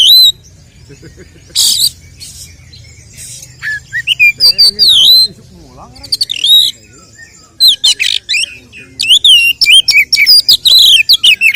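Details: Fighting song of the oriental magpie-robin, a lure to raise the emotion of male kacer: after quiet notes and a harsh burst, loud rapid phrases of swooping whistles, trills and chatter build toward the end.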